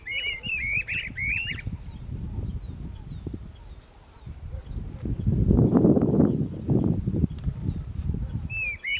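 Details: A pair of Streamer-tailed Tyrants in Pompéu, Minas Gerais, Brazil duet with quick, sharp, chirpy notes in a burst lasting about a second and a half, then thin high whistles, over steady low rumbling wind.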